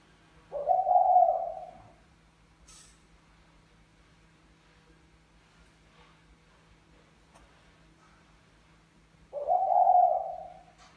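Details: A male spotted dove courting a female: two deep, rolling coo phrases, each lasting about a second and a half, spaced roughly nine seconds apart, with quiet low background hum in between.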